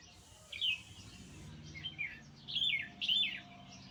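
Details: Nightingale song in short bursts: a sharp high phrase, a softer twittering run, then two louder slurred, descending phrases close together over faint low background noise.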